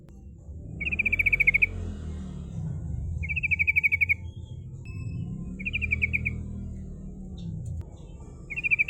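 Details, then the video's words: Sooty-headed bulbul lure song in rolling, shooting style to call rivals: four bursts of fast, even, high chattering trills, each about a second long, spaced about two seconds apart, over a low rumbling hum. "Pancingan trucuk bahan suara ngerol nembak memanggil lawan"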